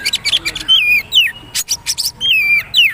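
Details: Magpie-robin song in the poci trotol style, used as tutor material: clear falling whistles alternate with rapid clicking, ticking notes, repeated in pairs across the clip.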